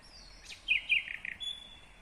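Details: Nightingale in Kyrgyzstan, 2020, giving a short phrase: a high thin whistle, then a few loud, throaty chirping notes and a final level whistle, against faint steady noise.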